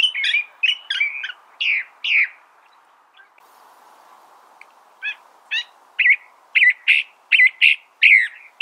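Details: California thrasher delivering bursts of crisp, downslurred notes, a pause of about two seconds, then a renewed series of sharp, evenly spaced phrases.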